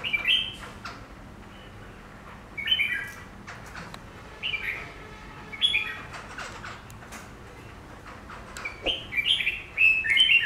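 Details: Caged Chinese laughingthrush (silver-cheeked laughingthrush) singing at its reflection in glass: short clear whistled phrases around mid-high pitch, separated by pauses of one to two seconds, over a low steady background hum.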